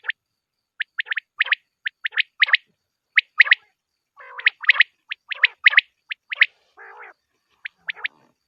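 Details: Quail calls from a recording meant to attract birds for hunting. Crisp short notes come in pairs and triplets roughly once a second, with two lower, rougher buzzy notes in between, on a silent background.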